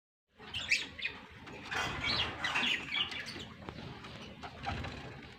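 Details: African lovebirds in a colony breeding setup, giving a dense, overlapping stream of harsh, high chirps and squeaks from several birds at once, with short bright notes bunched together and a low background rumble throughout.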